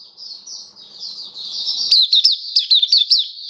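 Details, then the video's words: Oriental white-eye kept as a hobby bird opens with a soft high warble, then bursts into sharper, rapidly repeated slurred chirps, all thin and bright. "Mata Puteh Kitaro Buka Sing"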